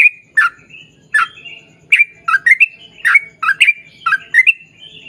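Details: Sooty-headed bulbul song of slurred, bright notes and short rising whistles, delivered in uneven bursts, with a quiet low rumble in the background.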